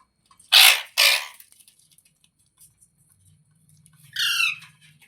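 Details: Parrot indoors with two loud, broadband harsh screeches in quick succession, then a quieter descending squawk near the end over a low hum.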